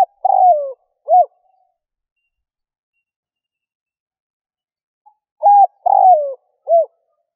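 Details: Spotted dove coos for luring wild doves, recorded in 2021. Two phrases, each with a falling drawn-out coo and a short arched note, are separated by about four seconds of silence.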